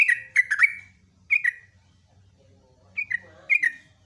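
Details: Yellow-vented bulbul singing in the morning: a few short bursts of liquid, descending chirps, first a fast triple, then paired notes, with quiet gaps between.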